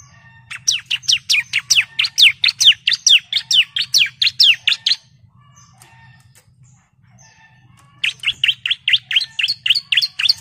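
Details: Female bar-winged prinia calling the male, used as a lure to get birds singing; fast bursts of sharp, high chirps about every quarter second, a pause of three seconds, then the chirping resumes, over a low hum.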